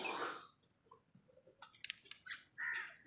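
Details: Angry crow tearing a leaf, giving a harsh, broad caw at the start and another short, rasping caw near the end, with quieter scattered clicks and faint notes in between.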